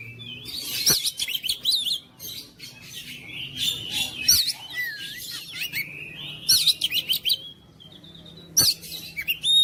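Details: Oriental magpie-robin song of buzzy rasps, slurred whistles and rapid chattering phrases, interrupted by sharp clicks, with a quieter stretch before a final energetic burst.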